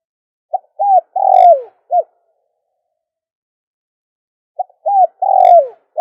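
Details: Dove cooing, a recording used to call in doves: a short phrase of clipped low notes, an arched coo and a long falling coo, then a final short note. The phrase is given twice about four seconds apart against a silent background.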